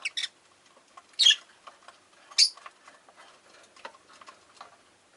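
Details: Pet rosy-faced lovebirds, five kept in a window-side cage, give three or four scattered shrill chirps among soft clicking and pattering sounds.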